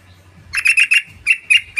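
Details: Yellow-vented bulbul lure sound meant to make birds call back: a run of scratchy, buzzy chattering notes, then a brief gap and a few more strident notes, with a soft low rumble in the background.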